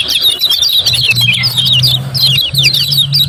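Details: Lemon-bellied white-eye song meant to stir lazy birds into singing: a steady stream of quick, high, slurred twitters with a continuous low hum underneath.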